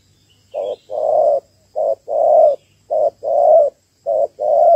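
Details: Female Malaysian-type spotted dove calling to stimulate males, a call used to lure males for trapping; mellow low coos in short-then-long pairs, four pairs in under five seconds, with faint high chirps from another bird behind.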